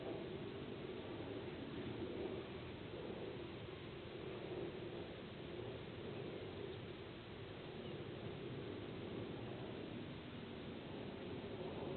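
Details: Only a steady, dense rumble of wind-like noise is heard throughout, with no clear animal calls.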